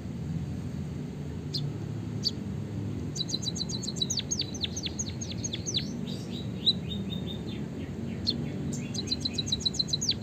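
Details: White-headed munia chirps used to encourage a bird to sing: after a few scattered notes, bursts of rapid high ticks and downward-sweeping chirps come in clusters, set against a fairly loud low-frequency background rumble.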